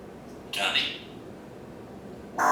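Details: Pet parrot on its stand in a kitchen and dining area in the morning gives a raspy, breathy squawk, then after a pause starts another harsh burst.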